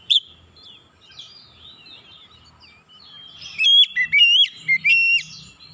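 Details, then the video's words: Oriental magpie-robin calling to make a silent bird respond and sing. Soft, thin warbling twitters are followed by a loud run of sharp, high whistled notes that jump between pitches. "jeritan Kacer memanggil | Kacer macet bunyi langsung respon ikut gacor"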